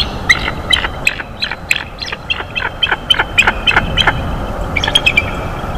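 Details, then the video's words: Bald eagle squealing, delighted, as the male brings a mammal to the North East Florida nest, 9:12 am, 13 February 2021; rapid series of thin, high squealing notes, about three per second, uneven, over faint low background hum. "Da brings a mammal, Gabby squeals delighted"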